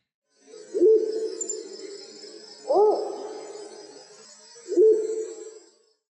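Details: Spotted wood owl of Indonesia and Java gives three low, hollow hoots about two seconds apart, the middle one higher and rising before falling away; faint hiss in the background.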